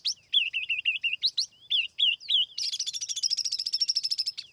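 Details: Lure-bird song of a tiểu mi laughingthrush, free of background noise: wavering whistled trills repeated rapidly, then a dense, fast buzzy chatter of high notes.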